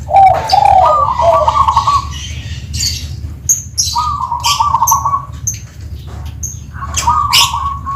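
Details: Perkutut from Tuban in 'kristal' voice, repeating gurgled coo phrases every few seconds, each a low burble rising into a trilled note, mixed with loud squeaky chirps from other birds.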